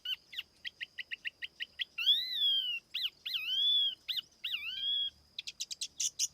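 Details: Lure song of a tiểu mi laughingthrush with a faint steady hum behind: quick run of short notes, long arched ringing whistles, then a buzzy rapid burst at the end.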